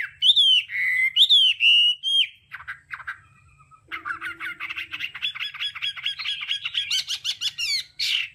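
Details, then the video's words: Hwamei 'đảo âm' song for voice training: two loud swooping whistled phrases, a brief pause, then a rapid, busy stream of clipped whistles and chatter that builds steadily. "Âm thanh luyện giọng họa mi hót đảo âm hay nhất"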